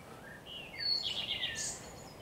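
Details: Common Redstart, recorded 12 May 2023 with a blackbird nearby: a faint lower warble leads into a single high phrase of a clear whistle, jumbled rapid notes and a sharp high twittering end, against low background noise.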